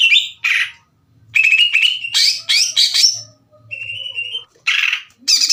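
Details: Greater green leafbird singing to provoke other leafbirds. Separated bursts of harsh, buzzy notes alternate with level whistled runs and a thin falling whistle, with soft low hum at times.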